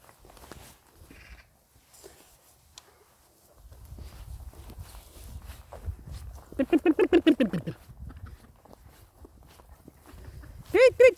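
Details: Chickens: over a low rumbling background, a fast run of about ten ringing harmonic clucks, followed near the end by one short, loud call.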